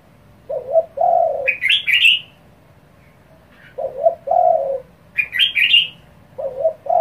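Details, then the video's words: Spotted dove calling in quick succession to goad rival doves: low paired coos, a short note then a longer one, repeated three times about every three seconds, with bursts of high twittering chirps between them. "cu gáy thúc dồn kích bổi cực nhanh | tiếng chim cu gáy kích bổi | chim cu gáy gù"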